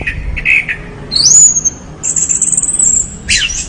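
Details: Orange-headed thrush singing energetically: a couple of short buzzy notes, then long thin high whistles held steady and a sharp burst at the end.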